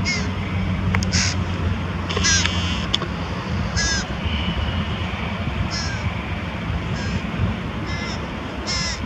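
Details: A carrion crow bringing prey to its young near Diemerbos, 22 July 2020; harsh nasal calls spaced every one to two seconds, some faint, with a low hum, a few sharp clicks and steady background rumble.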